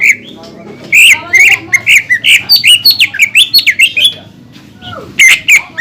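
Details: Lively greater green leafbird singing, played to rouse other leafbirds: bursts of loud, sharp whistled notes and squeaky slurs in a rapid series, pausing briefly before a final short burst.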